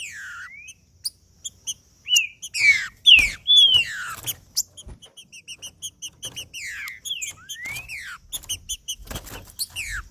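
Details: Trinca-ferro, the green-winged saltator, in heated 'macheando' song meant to warm up a male. Rising and falling whistles mix with fast runs of crisp repeated notes, about two per second, and a few sharp clicks.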